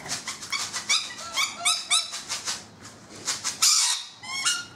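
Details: Busy, shrill chattering from rainbow lorikeets on a balcony, with quick repeated squeaky notes, one harsh screech near the end, and more squeaks after it.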